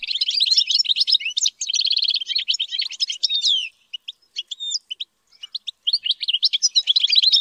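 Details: European goldfinch in training to sing high-pitched song, a reared bird; fast chattering twitters and trills with liquid and buzzy notes, a brief sparse stretch of single chips midway before the dense twittering resumes; no other sounds.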